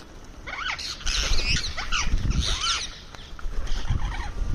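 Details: Indian ringneck parrot calling while eating on a terrace: sharp, high arching screeches in quick clusters, several overlapping downslurred notes, with low thumps and rustling from feeding underneath.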